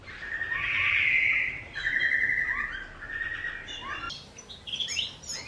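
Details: Common chaffinch in captivity during courtship and breeding season, 2023, two females sharing one male; drawn-out whistled notes and slurred phrases, followed by higher, quicker chirping notes near the end.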